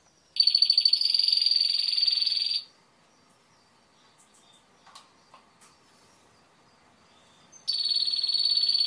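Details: Timbrado canary delivering a long, even, high rattling trill lasting about two seconds, then a quiet pause with faint clicks, before the same sustained trill resumes.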